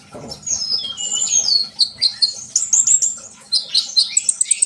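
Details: Sunbird song offered to make trainee birds sing. Squeaky whistled phrases and slurred high notes build into a fast series of evenly spaced sharp chips toward the end.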